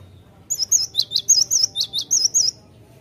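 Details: Great tit singing, from a recording meant to coax the bird into song: some ten quick, piercing, bouncing two-tone notes in a two-second phrase, then quiet with a low hum.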